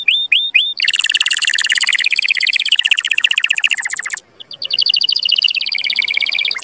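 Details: Canary singing to excite males and females toward breeding: a few sharp upslurred notes, then a long dense rolling trill, a short pause and more rapid trilling.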